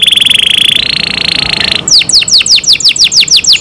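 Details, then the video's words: Kept canary produces a steady high buzzy rolling trill, rising in pitch midway, then breaks into a series of sharp downward-swooping whistled notes repeated about four per second. "canary Nice sound"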